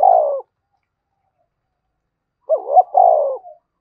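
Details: Spotted dove, vigorous 'thúc bổi' cooing. The end of a sustained coo, a two-second pause, then a full phrase: a warbling double note followed by a smooth, steady coo trailing into a soft tail.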